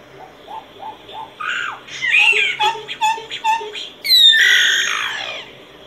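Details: A solitary cacique sings a row of soft low hoots, then rhythmic clucking notes, and ends with a sudden loud, harsh squeal that sweeps downward.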